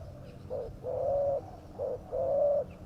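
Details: Spotted dove call used as a lure to attract wild doves, described as fierce-sounding: two pairs of low, even coos, a short note then a longer held one, over faint background hiss.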